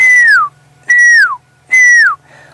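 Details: Pearl-spotted Owlet heard at sunset on a drive at Djuma and Arathusa in wild Africa, 28 April, gives three loud, clear whistles, each sliding downward, about one per second, over a faint low vehicle engine hum.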